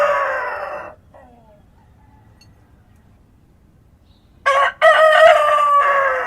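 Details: Tail of one crow fades out, then after several seconds of quiet countryside a rooster at daybreak lets out a new call: two clipped opening notes and a loud, held cock-a-doodle-doo that sinks slightly at the end.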